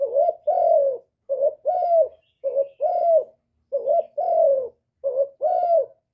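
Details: Spotted dove singing in hạp bổi voice, recorded without background noise, part of a full song of calling, urging and cooing. Rich, slightly buzzy double coos follow one another at a brisk, steady pace.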